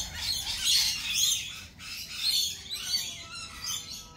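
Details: Lorikeets screeching in a crowd, a steady, rasping chatter of high shrill notes with louder squeals rising out of it every second or so.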